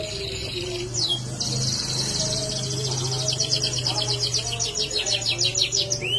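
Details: Vigorous canary song with a brief whistled slur, then a long run of rapid, evenly repeated high notes building into a pulsing roll, with a low hum in the background.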